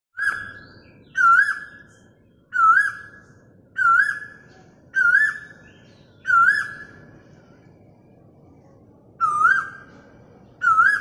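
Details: Asian koel recorded on a mobile phone: a loud whistled note with a quick wavering twist, then a held tone. It repeats steadily about every 1.3 seconds, eight times, over faint low background hum.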